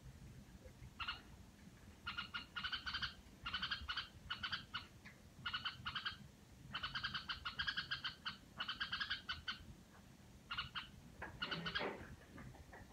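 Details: Household red-whiskered bulbul making its 'rò' sound, a long series of short clustered bursts of fast rattling, harmonic pulses, repeated every second or so with small gaps, closing with a louder downward-sweeping note; low hum underneath.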